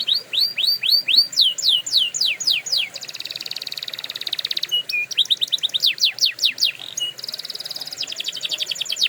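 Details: Canary singing a training song, varied tours: rapid descending whistled sweeps, then a buzzy sustained rattle, short clipped notes, and more fast down-slurred trills, loud and continuous.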